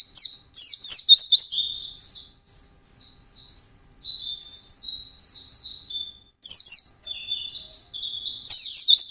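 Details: Intensely singing white-eye, fast 'ngalas' style, pours out high sweet downslurred notes in quick overlapping bursts, dense twittering runs separated by brief pauses.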